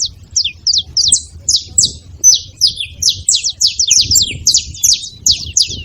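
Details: Noisy group of wild saffron finches at a bait site: quick, sharp, high chirps, some slurred downward, tumbling over each other at a rapid, uneven pace, with low murmuring background noise.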